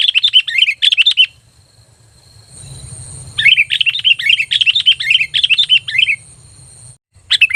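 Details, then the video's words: Sooty-headed bulbul lure call to attract other bulbuls: long chattering runs of rapid, bright, warbled notes, loud and clear, broken by a brief quiet gap with faint hiss. "SUARA PANGGILAN PIKAT BURUNG KUTILANG GACOR"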